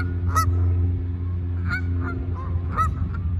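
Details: Canada geese landing and flying off, sounding loud separate honks, rising and falling, roughly every half second to second, with a low continuous droning background.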